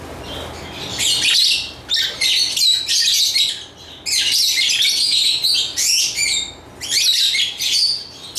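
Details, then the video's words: High, grating lovebird chatter in long runs of fast, scratchy chirps and squeals, broken by a few short pauses. "Lovebird Chirping Sounds"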